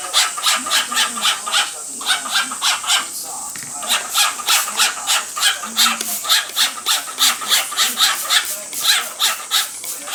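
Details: A male cockatiel performs a running series of hissing, chattering pulses while his female companion is misted during her bath indoors; the bursts come fast and even, about three each second, through the whole stretch.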